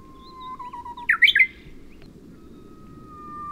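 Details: Bush warbler on Oeyeondo island, Boryeong, Korea, in early May 2023: a low wavering whistle swells into one sharp bright flourish, followed by a faint long even whistle, with steady low background rumble.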